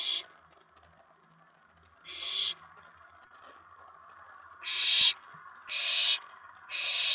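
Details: Owlet in a nest box late on a May 2017 night, getting excited when another owl lands on the tray after a mouse delivery; five rasping, noisy hiss bursts, irregularly spaced, the later ones coming close together.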